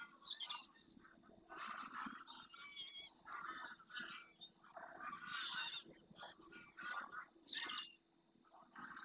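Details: Greylag geese, a large wintering flock arriving at a lagoon in Doñana National Park, Spain, early morning; busy clamour of overlapping honks from many birds, with a long high hiss and chirps mid-way.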